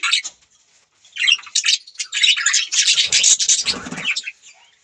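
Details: Budgerigars chirping: bursts of harsh, buzzy warbling and chattering notes spread high across the range, in dense overlapping phrases with a short pause near the start, no other clear sounds.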